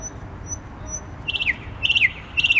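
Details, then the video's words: A common nightingale sings around 00:30 on 12 May 2020 in central Warsaw, from a tree about 2 m overhead on the Palace of Culture square, repeating a rich phrase of clicky notes ending in a falling slur every half second, over low city hum. "Słowik Rdzawy śpiewa"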